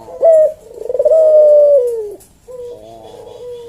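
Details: Collared dove, puter jawa, performing the slow 'kuk deruk manggung' coo. A short note is followed by a long, steady, slightly falling coo, then a softer trailing note. Intended as a tutor track for caged birds.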